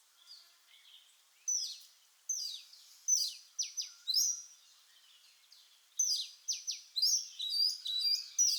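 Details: Oriental magpie-robin, Copsychus saularis, singing: a few soft notes open, then loud high whistled phrases with sharp descending strokes, a pause mid-way, and a final dense burst of varied whistles.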